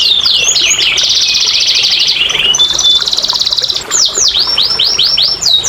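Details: Canary song played as a lure to coax quiet, reluctant canaries into singing; loud, bright rolling trills held for about two seconds, a rapid buzzy tour, then a run of sweeping down-slurred whistles, high and continuous throughout.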